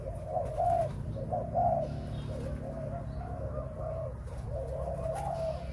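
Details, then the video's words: Breeding spotted dove cooing steadily, a series of low soft notes rising and falling in repeated phrases, with background hum. "Cu gáy sinh sản"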